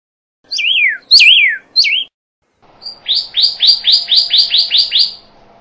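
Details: Pyrrhuloxia singing: three loud down-slurred whistles with quick zigzag starts, a short pause, then a fast series of about ten rising chip notes repeated rapidly, with faint background hum.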